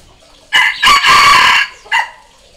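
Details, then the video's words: Crowing Red junglefowl, the call used to draw out and provoke wild birds and train young decoy cocks; a brief rasping note, a second burst, a sustained loud hoarse middle part, then a clipped final syllable, in otherwise quiet surroundings. "เสียงต่อไก่ป่า เสียงไก่สำหลับต่อ"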